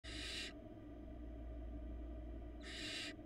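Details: Barn owl nestling on a nest camera in Florida, one of four hatched in February 2022, giving harsh broadband hissing screeches, two bursts about two seconds apart, over a steady low hum.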